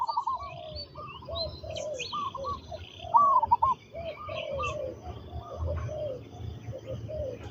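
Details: Spotted dove, a trained decoy bird used for ground luring with a captive-caught bird, giving soft low hooting coo phrases in short repeated groups, with higher chirping birds and faint background murmur.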